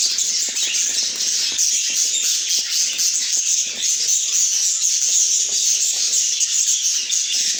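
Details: Pet budgerigars chirping: an unbroken, hissy blanket of high, rapid twitters and warbles, even in volume from start to finish.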